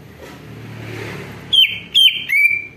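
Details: Greater green leafbird song played as a lure to make other birds respond: after a stretch of quiet hiss, three loud clear whistles, each starting high and dropping then holding, spaced about half a second apart.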